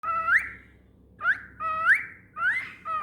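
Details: A pet cockatiel sings in a small room: rich, rising whistled notes, each opening with a brief rough chirp, repeated about every half second.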